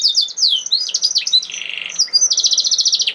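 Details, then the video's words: Canary song of the 'nembak' type, meant to set other canaries singing. Swooping slurred notes lead into a buzzy rattle, then a fast, even series of short high chips. "Kenari Malas Bunyi Langsung Nyaut Ikut Ngerol Kalau Dengar Suara Kenari Nembak Ini ||Voice of Canary"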